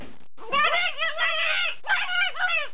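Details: One of two macaws, blue-and-gold and green-winged, out of their playpen guarding a hiding spot in a basement, gives two drawn-out, wavering, rich nasal calls rising and falling in pitch, the first over a second long, the second shorter.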